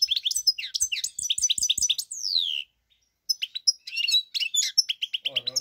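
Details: Lively European goldfinch singing, 4 March 2022, with fast tinkling chirps and liquid twitters, a long descending slurred note, a brief pause, then more rapid twittering; a low voice or hum briefly enters near the end.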